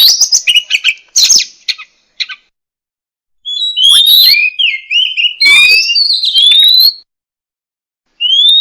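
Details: Oriental magpie-robin, known locally as murai kampung or murai cacing, singing: harsh chattering notes followed by loud clear whistled phrases, rising sweeps and slurred notes with short pauses, ending in a rising whistle.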